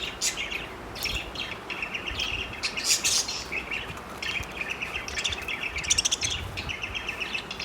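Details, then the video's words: Four pet parakeets flirting, producing continuous high chirpy chatter in uneven bursts with sharper squeaks mixed in, and a faint background hiss. "parakeet sounds of flirting"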